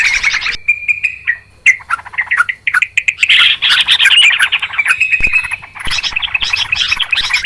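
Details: Yellow-vented Bulbul, locally trucukan, giving noisy calls for luring birds into traps: a harsh burst, a thin drawn whistle, then long, intense runs of scratchy, rapidly repeated chirps.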